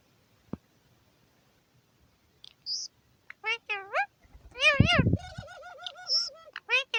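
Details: Indian ring-necked parakeet, a caged aviary bird on New Year's Day 2021, talking to himself: harmonic speech-like syllables with wavering, arching pitch from about 3.5 to 7 seconds, a brief whistle, a dry click early on.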